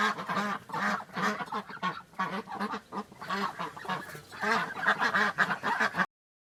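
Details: Ducks on a farm giving low, nasal quacks in a steady run, roughly two or three a second, with more calls mixed in behind, ending abruptly in silence.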